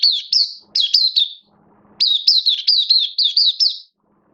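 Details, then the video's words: Hobby-kept oriental white-eye in a cage, 11 September 2022, form dipping a little: two fast strings of bright, high, falling chirps, the second about eight notes long, with brief quiet gaps. "Mata Puteh Kitaro Buka Sing"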